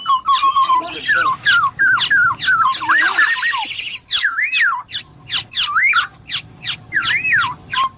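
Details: Black-naped oriole singing clear, mellow, fluting whistled phrases that loop up and down, broken by a brief harsh nasal rasp in the middle, with crisp downward-slurred chips between phrases.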